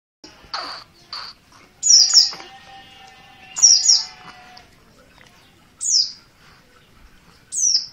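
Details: Oriental white-eye of the dakun Merapi type, an untrained 'bahan' bird, giving an insistent call: sharp, high, downslurred notes, single or paired, repeated at uneven gaps, with a faint low steady tone in the background.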